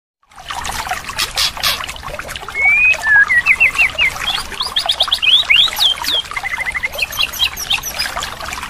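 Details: White-rumped shama training recording used as therapy to make a silent bird sing again: varied clear whistled notes, some rising and some falling, in a quick run, over a dense background of chirps and rustling.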